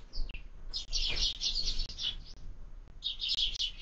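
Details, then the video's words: Sparrows at a bird feeder fixed to a window, breakfast time, giving dense strings of shrill chirps in two main bursts separated by a short lull, with light knocks from the feeder. "Воробьи в кормушке - Завтрак"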